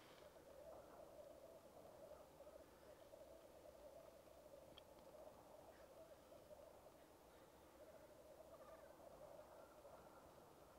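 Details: Black grouse lek, recorded with a Rode Videomic Go: steady, pulsing bubbling from the displaying birds, with scattered brief hisses and a sharp tick partway through.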